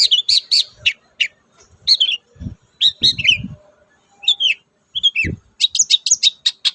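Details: Long-tailed shrike song meant to prompt silent captive shrikes to sing: clustered high chirps and short warbled phrases in bursts, with a few low thumping knocks between phrases.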